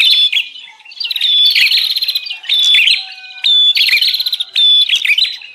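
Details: Agitated 'ribut' calling of the bar-winged prinia used as a lure for wild prinias: repeated bursts of high, buzzy trills with sharp whistles, coming about once a second.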